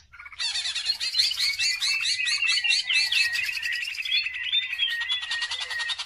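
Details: Greater green leafbird song, used as a training lure for other birds: sustained, fast chattering packed with buzzy phrases and whistled slurs, easing into a steadier stream of high rattling notes.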